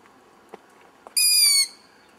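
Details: Young owl hidden in a tree roughly 100 metres off, filmed in poor light, gives one loud rasping scream of about half a second, squeaky and harsh with a slight falling finish, preceded by two faint soft clicks.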